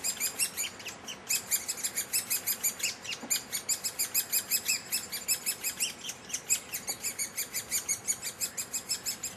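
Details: Great spotted woodpecker young being fed high in a tree at Heeze, Netherlands: a continuous, fast, high-pitched chattering of begging nestlings, rhythmic bursts about four to five per second throughout.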